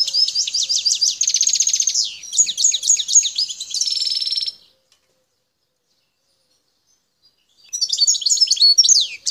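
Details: Wild European goldfinch from the Bouteldja area of El Tarf, Algeria. It gives rapid runs of high tinkling notes, buzzy trills and twitters for several seconds, pauses in silence, then bursts into chattering song again.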